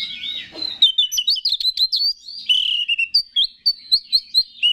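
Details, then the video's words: Oriental magpie-robin song meant to stir up other males: rapid jumbled chirps and whistles, then a rhythmic series of loud clipped notes repeated about twice per second. "4UTO G4COR🔥Pancingan Menaikan Emosi K4CER‼️"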